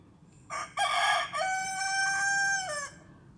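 A rooster gives one full crow: a short rough opening, then a long, loud, steady note that drops away at the end, about three seconds in all.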